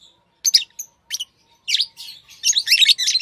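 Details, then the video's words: Tame pet lovebirds chirping: short, harsh, high-pitched chirps in scattered bursts, sparse at first, then a dense run of overlapping scratchy notes toward the end, with near silence between calls. "Love birds Sounds | lovebirds chirping sounds"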